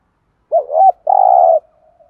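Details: Single phrase from a spotted dove used as a decoy to get other birds cooing: a short rising, doubled note, then a sustained, steady, low coo fading into a soft tail.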